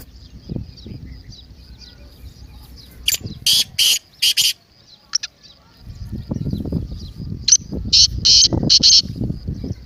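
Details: Excited 'masti' call of a partridge, meant to set a quiet kept partridge calling. Two loud grating phrases of four harsh bursts each, separated by a few seconds of low rumbling background noise.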